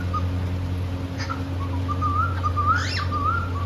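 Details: Cockatiel kept as a pet in India, happy and playing: a soft wavy whistled phrase with one quick rising squeak in the middle, steady low background hum.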